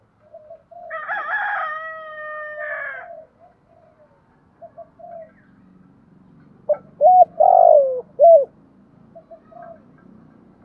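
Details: Spotted dove lure call used to draw in wild doves, in the 'thổ sấm' voice style: a harmonic crowing sound first, then after a pause three loud, low coos, with the middle note longest and sliding downward.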